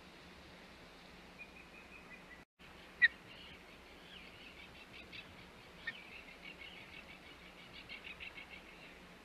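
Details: Osprey at the Hog Island nest, 21 May 2021: a faint, rapid series of thin whistled chirps, some slightly rising, following one sharp note after a brief gap, over a steady low hum.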